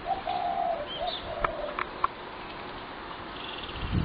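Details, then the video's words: Spotted doves in a fed population living among houses, calling from sun-up to sundown; a clear, loud series of rolling coos at the start, then a couple of sharp taps and faint chirps. "Home virtually untenable due to dove infestation - noise DISASTER!"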